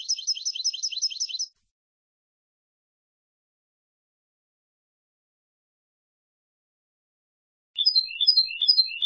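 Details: Goldfinch song in short bursts of fast, bright, liquid twitters and chirps, opening with a rapid run of notes, then a long quiet gap before a looser, sparser phrase.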